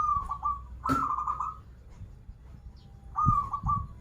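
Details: Local zebra dove singing a series of short rolling trilled coos, one loud burst followed by two quicker repeats, with a brief click and low thumping noises in the background.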